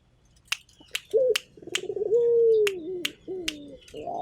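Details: Busy cooing from a local turtle dove: a short rising note, a rough rolling phrase, then a drawn-out steady hoot that dips at the end, over regular sharp ticking clicks.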